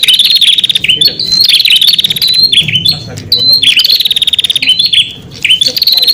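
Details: Prinia song used as a lure to call in wild prinias: loud, rapid chirping phrases with buzzy downslurred notes and fast clicking trills, repeated in quick bursts with brief pauses.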